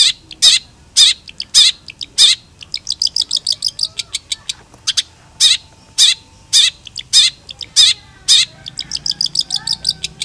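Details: Long-tailed shrike singing actively: loud harsh notes repeated steadily, alternating with rapid runs of thinner, ticking high notes, sustained throughout.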